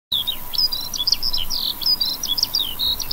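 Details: Eurasian skylark singing beside a wheat field with common chicory: a continuous rapid stream of high, warbling chirps and trills with quick rising and falling notes, a faint steady low hum beneath.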